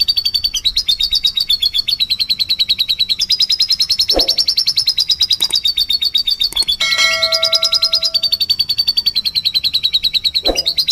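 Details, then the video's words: Canary song in the prolific 'nembak' style meant to prompt other canaries: long, fast, high-pitched trilling that drifts gently up and down. Brief knocks, a bright ringing chime and a few clicks interrupt it. "Kenari Gacor Nembak || Pancingan Kenari"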